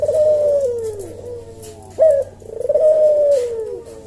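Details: Slow 'senggang' cooing from a caged Javan collared dove, meant for tutoring cage birds: two long, smooth descending coos separated by one abrupt rising note, with faint low hum beneath.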